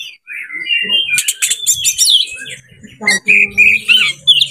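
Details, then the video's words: Oriental magpie-robin in breeding heat, song used as a lure: warbled low whistles, then harsh scratchy bursts, then a series of short clear whistled notes over a faint low background hum. "JEBOL BIRAHI ⚪ RAMUAN KACER PALING AMPUH UNTUK PANCINGAN BURUNG ANDA"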